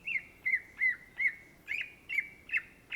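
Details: Cucak ijo (greater green leafbird) in vigorous gacor song: evenly repeated, ringing slurred whistles about three per second, each with a quick downward twist.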